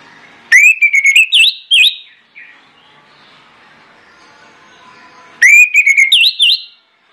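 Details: Orange-headed thrush singing loudly as a lure for other birds. Two bright phrases, each a rising whistle followed by quick V-shaped whistled notes, are heard about five seconds apart, with quiet murmuring in between.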